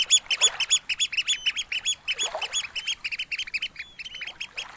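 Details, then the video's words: Eurasian oystercatchers at Snettisham Beach, Norfolk, late on a spring evening: a steady run of loud, piercing piping squeaks, about three to four a second, with soft wavelets breaking on the sandy shore. "Gentle Waves and Oystercatchers at Snettisham Beach, Norfolk"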